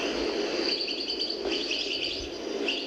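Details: An old recording, perhaps from the 1970s, from the El Biar area of Algiers: a European goldfinch improvises a quick, tinkling twitter of high chirps and short trills, running on without pause over a steady background hiss.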